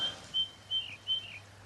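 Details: Ring ouzel in the Peak District gives pure song, not an agitation call: three clear, high piping notes about every 0.4 seconds, sounding louder because a nearby cliff reflects it, against a quiet background.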